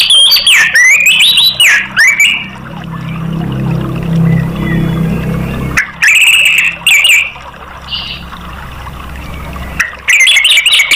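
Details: Orange-headed thrush song used as a prompt to get other caged birds singing: loud bursts of clear, rising and falling whistled phrases come in three spells, separated by quieter stretches with a low background hum.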